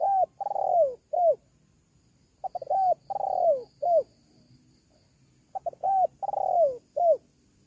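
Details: Spotted dove used as a lure to call wild doves: three cooing phrases, each a couple of short clipped notes, a long drawn-out falling coo and a final falling coo, repeating about every three seconds in a quiet setting.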